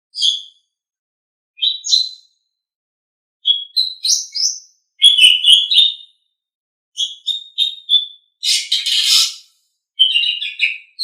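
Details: Asian pied starling in captivity singing in bursts: clear whistled notes, quick chirp series and one harsh rasping burst, phrases separated by short silences; used as a tutor recording for pet birds.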